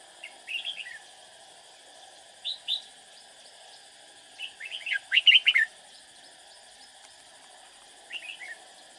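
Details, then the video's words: Red-whiskered bulbul decoy singing to lure rivals into a trap: several brief warbled phrases spaced a few seconds apart, one longer rapid loud run of bright notes in the middle, and steady background hum. "Bẫy chào mào Lăng xăng mau mồm"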